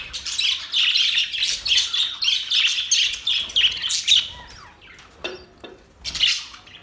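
Budgerigars chatter in a dense, rapid warble of high chirps and squeaky notes, several birds overlapping for about four seconds before scattered single calls.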